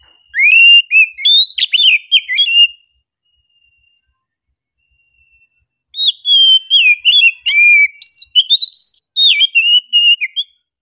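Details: Oriental magpie-robin in relaxed song: rapid, varied whistled phrases of sweeping and chopped notes, a pause of about three seconds, then a second long stream of bright rising and falling whistles.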